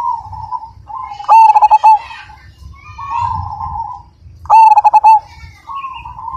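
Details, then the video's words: Zebra dove of the Majapahit type, with a big, strong voice. It sings two loud phrases about three seconds apart. Each is a fast stammering burst of short coos, and long smooth humming coos fill the gaps. "Perkutut Majapahit Gacor Dan Ganteng, Suara Besar,Super Kung"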